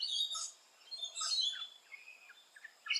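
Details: Rainbow lorikeet at nesting holes in Australia, giving harsh, grating screeches, then a string of short, sharp chirps and squeaks.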